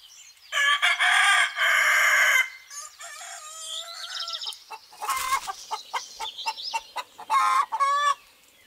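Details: Rooster crowing outdoors in the countryside in spring 2018: a loud, harsh, harmonic-rich crow lasting about two seconds, followed by a run of short clucks and brief squawks from poultry nearby, with faint bird chirps above.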